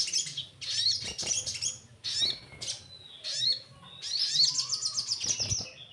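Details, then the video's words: Orange-headed thrush song used to coax young birds into regular singing: loud bursts of rich high warbling and rising whistles, separated by short pauses, over a faint low hum. "Pancingan SOGON Bahan Agar Rajin Bunyi"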